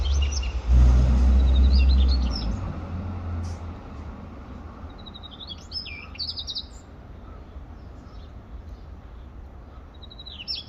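A male Daurian redstart gives short, high, thin warbled phrases with quick twittering notes. A passing vehicle rumbles loudly at the start, and steady low background noise continues throughout.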